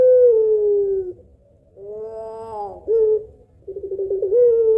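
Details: Puter pelung Barbary dove, lure call: the close of a long falling coo, a pause, a wavering mid note, a short clipped note, then a rolling stutter leading into another sustained coo.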